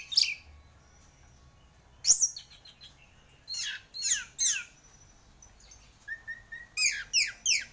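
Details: Prize-winning orange-headed thrush singing: sharp downward-sweeping notes in quick pairs and triplets, a short series of soft whistled notes, and pauses between bursts, with quiet background noise.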